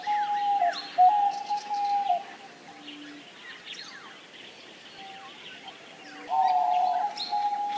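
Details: Diamond dove giving drawn-out, steady mid-pitched coos, the first around one second and a louder, fuller one near the end, with fainter low hoots between, over a busy background of many small birds chirping and twittering.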